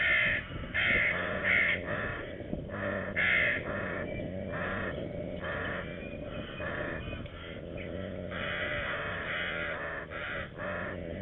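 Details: Red-footed falcon at a nest with two chicks in Hungary, 27 June 2020, giving harsh, scratchy calls in quick bursts, repeated over and over at an uneven pace, with a steady low rumble underneath.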